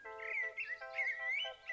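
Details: Common blackbird giving its song, as opposed to its short, harsh alarm call: short, mellow fluted phrases rising and falling in quick succession over a steady low musical tone.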